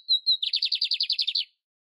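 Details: Lined seedeater in nature: two clear whistles around the same high pitch, then a rapid buzzy trill of roughly eleven repeated notes, ending abruptly; nothing else audible.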